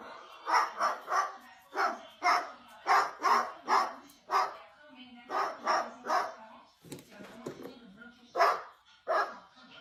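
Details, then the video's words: Parrot imitating a dog, giving a long series of short bark-like yaps, roughly one to two per second, some doubled, with a few breaks in the rhythm. "Parrot making dog noise"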